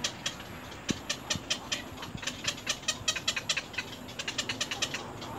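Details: Little egret chicks in the nest begging from their mother, biting at her hard; a quick series of harsh, rasping pulses, a little more than two per second, over constant hiss.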